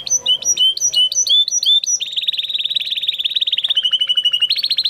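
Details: Spanish Timbrado canary, bred in 2020, delivering training song: bouncy paired whistled notes switch into a long, fast, continuous rolling trill that shifts pitch near the end, with a faint steady hum beneath.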